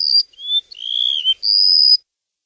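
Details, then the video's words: Bird song: a short high whistle, a lower thin note, then a longer buzzy whistle dipping slightly in pitch, ending in a sustained, steady, high pure whistle of about half a second. The background is quiet. "Chim kéo đờn"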